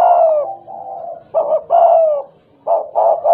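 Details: Tame, talkative spotted dove in stuttering style: a long, slightly falling coo, a softer trailing note, then clipped, hesitant coos broken by brief gaps.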